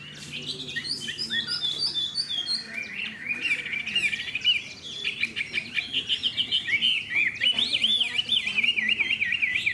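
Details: Hwamei with a spread tail, a caged songbird, opens with short high chirps, then moves into a long flowing whistled warble of rapid looping notes that grows denser and louder.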